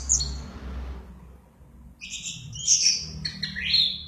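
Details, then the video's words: Orange-headed thrush (anis merah) described as singing 'mabuk berat', heavily 'drunk' and chattering: a short high squeaky burst, a pause, then a run of loud varied whistled and buzzy phrases, some sliding upward. "Burung anis merah mabuk berat"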